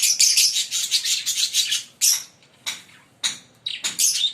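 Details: Fischer's lovebirds, a green pair, chattering in a fast continuous stream of shrill squeaky chirps for two seconds, then breaking into separate sharp calls spaced by short silences.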